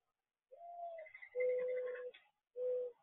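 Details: Mourning dove giving a soft, low cooing phrase: a rising, slurred opening note, then a long steady coo and a shorter final coo after a brief pause, with a faint higher overtone.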